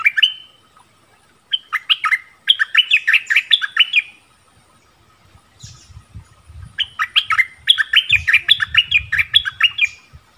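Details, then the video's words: Orange-bellied flowerpecker song, a recording used to lure wild birds and train young birds: short bursts of quick, high, slurred chirps separated by pauses, with a low rumbling background noise in the later part. "เสียงนกดอกแตงEp.3เสียงใหม่ล่าสุด ใช้ต่อนกป่า"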